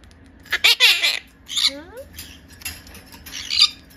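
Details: Indoors, a young-acting four-year-old male green monk parakeet begs its mother to feed it. It gives rough, scratchy squawks, then a short series of falling slurred notes, followed by softer chattering squawks and a final harsh burst.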